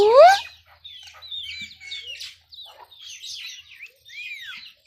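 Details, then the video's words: Talking pet Indian ringneck parakeet: one loud rising harmonic squawk, followed by softer whistled, warbling syllables in short phrases, like mimicked speech. "Talking indian ringneck parrot"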